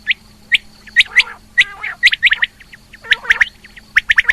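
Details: A female rain quail calls with crisp chirps and buzzy, gargled phrases, then closely spaced doubled notes toward the end. A low hum is heard throughout.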